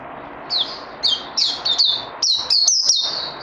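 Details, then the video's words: White-eye kept for training, recorded 18 May 2020: sharp high whistled notes dropping in pitch, then a tighter run of rising-falling chirps toward the end, over a steady background hiss. "Puteh Naughty Hercules need more training after Covid 19"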